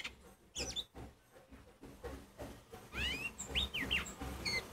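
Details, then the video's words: Oriental magpie-robin of the kacer poci type, singing to rouse other magpie-robins. Quiet, scattered notes open the song, then loud sweeping whistles slide quickly down in pitch. "Kacer Poci Nyusun Lagu ‼️Kacer Poci Diam Pun Auto Nyamber Bunyi Kencang"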